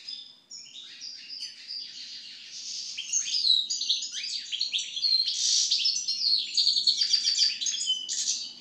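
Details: European Goldfinch singing its after-moult song: a fast, continuous tinkling jumble of liquid twitters, trills and buzzy notes, high-pitched and unbroken throughout.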